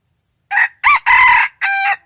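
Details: Rooster gives a full crow in four segments, brief opening note, a rising-falling second, a long steady third and a flatter closing part, loud and harmonically rich against silence.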